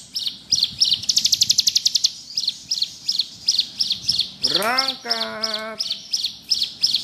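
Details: Bar-winged prinia (ciblek gunung) alternating evenly spaced high chips with a faster buzzy trill burst, in ngebrem style; a lower rising-then-level harmonic whistle briefly overlaps midway.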